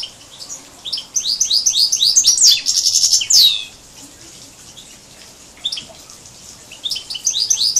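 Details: Hybrid of a major and a canary in song: bright, high sweeping notes strung into rapid rolling trills, a dense buzzy burst in the middle, a pause, then the trilling resumes.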